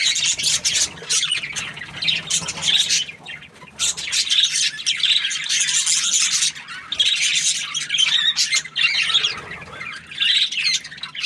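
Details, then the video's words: Budgerigar in a happy mood, keeping up a busy stream of high twittering chirps and raspy warbled notes, briefly easing near four seconds, then resuming steadily to the end. "Happy Budgie chirping sounds"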